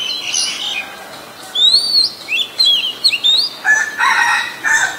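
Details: Oriental magpie-robin, a very common resident, recorded 23 December 2019 in Ubon Ratchathani, Thailand, with a Nikon P1000: several thin, upslurred and downslurred whistles in quick sequence, then a harsher, noisier burst of sound near the end.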